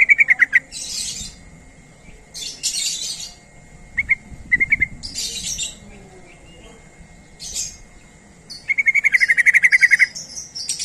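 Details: Sooty-headed bulbul luring other bulbuls: short clusters of sharp, repeated notes broken by pauses and high rustling chirps, ending in a longer rapid, even run of notes lasting over a second.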